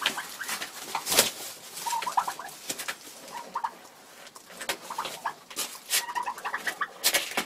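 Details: Broody Bronze turkey hen, frustrated, in February, one of four hens in this state, giving short, nasal, tonal notes in little clustered bursts, spaced irregularly between louder clicks and knocks.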